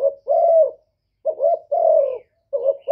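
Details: Spotted dove cooing used to provoke and lure males, a series of low, mellow hooting coos in uneven phrases separated by short silences, clean with no other sounds.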